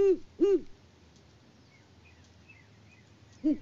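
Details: Mated pair of great horned owls hooting to each other on a Kansas farm in February, the male out of view near the nest branch. Two low, arched hoots open, then a pause, then a third hoot.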